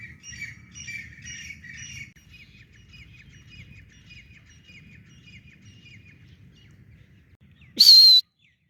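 Francolin giving harsh, scratchy notes: four quick bursts in two seconds, then a fainter run of evenly spaced clipped notes. A loud crackling thump ends it.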